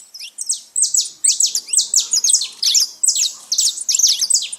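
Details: Saffron finches living free in nature, gathered in a lively group, giving rapid high, sharp chirps in overlapping bursts, roughly two per second, several birds calling at once with no other clear sounds.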